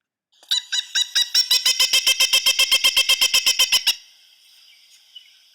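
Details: Pileated woodpecker by the Nashua River, Nashua, New Hampshire, in July 2012, gives a loud, ringing series of about twenty quick wuk notes, roughly six per second, steady in pitch and ending abruptly.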